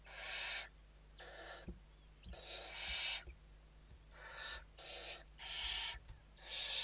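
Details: Inside a Western barn owl nest in Spain at evening feeding time, 29 November 2023: a run of seven harsh, noisy screeches, each under a second, some closely paired, with light thumps below.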